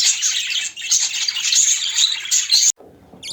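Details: Pet budgerigars kept together as a group, giving a dense, continuous high warbling chatter of overlapping chirps and squeaks that stops abruptly near the end, leaving faint background noise.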